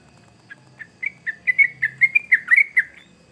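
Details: Singing sooty-headed bulbul used as a lure for young birds. Soft, spaced single whistles build into a louder, quicker string of gurgling slurred notes, then stop.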